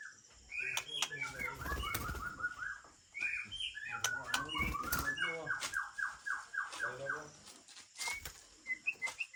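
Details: Aceh-type white-rumped shama breeding stock from Lamteuba, delivering quick series of short repeated notes strung into rattling phrases with sharp whistles, over faint background noise and occasional clicks.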